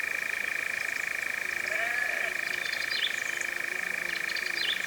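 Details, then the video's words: European Nightjar churring continuously in Cefn Ddu forestry, North Wales, UK, first of 2026, recorded using a Zoom F3 with Micbooster Clippies: a fast, even, rattling trill with scattered high chirps of other birds. "First Nightjar recording of 2026 in the Cefn Ddu forestry, North Wales, UK"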